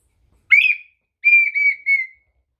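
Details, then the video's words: Brazilian partridge (perdiz) whistling loudly and clearly: a short rising slurred note, a pause, then a long drawn-out level whistle broken into three parts, in an otherwise silent background. "perdiz brasileira dando show"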